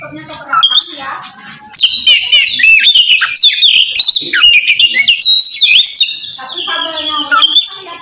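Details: Oriental magpie-robin singing kacer ngeplong to call a rival, used to make lazy birds sing; an unbroken stream of loud warbled whistles and buzzy slurs, with a softer lower chattering bird at the start and end.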